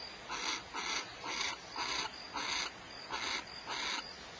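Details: Starr Ranch, California, barn owls giving breathy, hissing bursts, each roughly a third of a second long, in an uneven rhythm of about two per second, with a steady background hiss.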